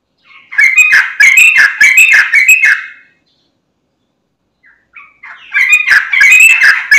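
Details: Sooty-headed bulbul singing vigorously, meant to provoke other bulbuls into song: a loud bubbly phrase of rapid chattering notes, about two seconds of silence, then a second equally lively burst.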